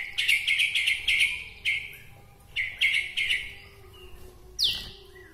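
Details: White-rumped shama from Bahorok, Medan, singing in a way said to stir up other shamas: bursts of fast chattering notes, each burst under a second, then a sharp falling whistle near the end.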